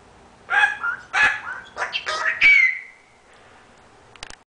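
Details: A Major Mitchell's (Leadbeater's) cockatoo, a pet bird, rasps out a few harsh, speech-like syllables over about two seconds, apparently saying "bad birds", ending in a drawn-out nasal tone; a couple of faint clicks follow.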